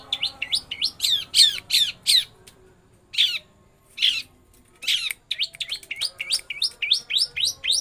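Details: Long-tailed shrike (pentet) singing a rolling imitation of lovebird song: quick, high, upward-sweeping chirps in fast bursts, then a few spaced, harsher notes, then steady rapid chirping.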